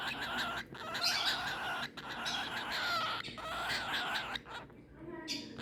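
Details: A young (new baby) cockatiel, kept in Saudi Arabia, gives a steady stream of harsh, raspy chattering calls; call.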